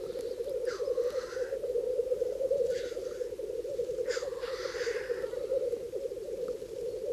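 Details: Black grouse males displaying at a spring lek in Bažu bog, Slitere National Park, Latvia: steady low bubbling cooing throughout, broken by three hoarse sneezing hisses about every one and a half seconds, as males defend lek territories.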